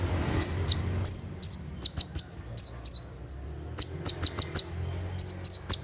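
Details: Caged sunbird singing a rapid 'tembakan' bursting song at night, used to train other caged birds: sharp high chirps and short downslurred whistles in quick, uneven bursts, with a faint low hum beneath.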